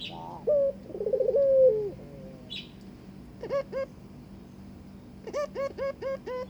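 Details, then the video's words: One trembling, downward-sliding coo from a Barbary dove inviting its mate, followed by quiet, then clusters of short, sharp, upswept notes. "burung puter ngajak kawin"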